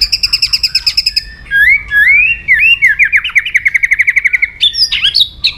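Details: {'caption': 'Provocative song of a white-rumped shama. A rapid series of high repeated notes, then a string of upward-swooping whistled notes run into a fast stuttering trill, ending with loud high flourishes.'}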